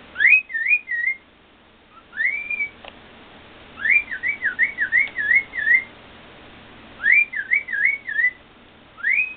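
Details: A male cockatiel, excited after being shown videos of himself singing, whistles a lively, happy song of rising and warbling notes in short repeated phrases.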